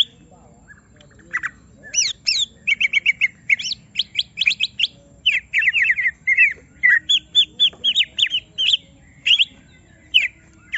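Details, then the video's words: Greater green leafbird in a cage, provoked to reveal its full song, pouring out a long varied stream of sharp chirps, rising and falling whistles and squeaky trills with hardly a pause. "Semua Cucak Ijo Langsung Emosi Bongkar Isian mendengar suara Cucak Ijo lagi di Trek Emosi ini"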